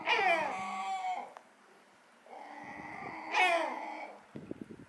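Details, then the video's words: Gull, possibly a female, at a harbour on Rügen gives two loud, harsh, descending screams about three seconds apart, with softer calling between and a few clicks at the end; another gull follows it closely. "Loud and Clear: The Surprising World of Seagull Talk"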